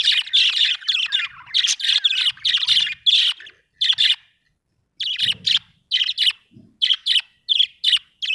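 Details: Budgerigar in a happy mood chattering steadily: dense, scratchy high chirps in rapid groups for about four seconds, a one-second gap, then more spaced chirps, with a few soft low thumps.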